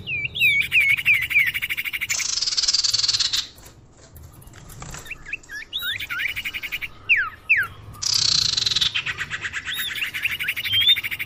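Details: Common iora lure call meant to draw birds in: hooked whistled notes, then long grating rattles alternating with brief curled whistles.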